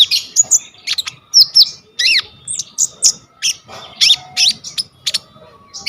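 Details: Brown-throated sunbird (konin) in constant 'gacor' song, 'full isian' style, used as tutor song for kolibri ninja, recorded on a vivo phone: high thin chirps and squeaky upslurred notes in quick irregular bursts, with short pauses.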